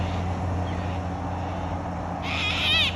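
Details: After a quiet stretch with low hum, a wild Australian cockatoo lets out one loud, harsh, wavering screech near the end.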